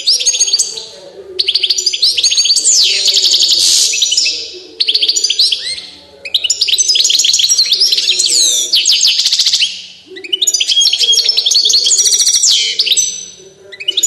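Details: European goldfinch of the Balkan form balcanica, described as a 'fiery' goldfinch, singing: dense runs of rapid high twittering, tinkling notes and sweeping whistles in three long bursts, each separated by a short pause.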